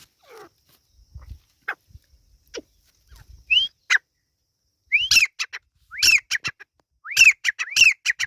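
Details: Partridge chicks, locally called Irani teetar, calling: sharp whistled notes that rise and arch over, coming in clusters roughly once a second after a few faint, scattered downslurred peeps. Each whistle is trailed by short clicky ticks, over a quiet background.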